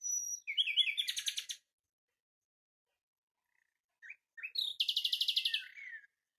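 Common nightingale singing two rich phrases, each opening with a few clear, varied notes before breaking into a fast, throbbing trill of high repeated notes.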